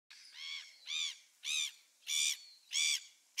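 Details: Gulls recorded on 27 December 2017, giving loud harmonic nasal calls, about six evenly spaced notes each roughly half a second long, repeated steadily with short gaps.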